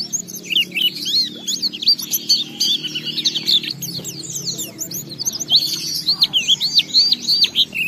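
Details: Lure song from an Oriental white-eye meant to set other white-eyes singing, continuous high warbling twitters and looping whistled notes over a low steady hum.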